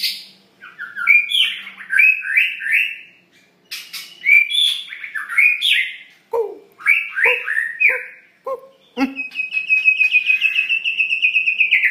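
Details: White-rumped shama singing a varied song of rich whistled phrases, slurred up and down, some deep low notes, separated by short pauses, ending in a rapid high chattering trill; faint low hum at the start.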